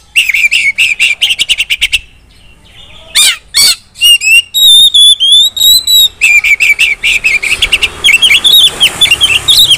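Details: Female white-rumped shama, a kept songbird, calling to draw other shamas into song: a rapid, evenly spaced series of sharp chips, then harsh bursts, clear whistled slurs and a dense twittering stretch of mixed notes.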